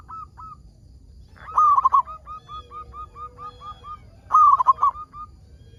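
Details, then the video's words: Local zebra dove singing eagerly to prompt other zebra doves into song; two loud rapid stuttering cooing phrases framing a long row of soft, regularly repeated coos, with faint low rumble. "PERKUTUT LOKAL GACOR SUARA PALING AMPUH UNTUK PANCINGAN BURUNG PERKUTUT AGAR BUNYI"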